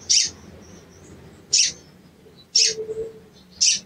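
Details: Sooty-headed bulbul cuit-cuit calls meant to rouse a bird that has gone quiet: four sharp, high chirps at uneven intervals, with a faint low hum in the background.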